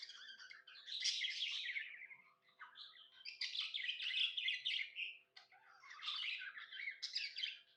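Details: Pet budgerigar, said to be happy, pours out continuous buzzy chattering with rapid squeaky notes, rising and falling in loudness over three long phrases.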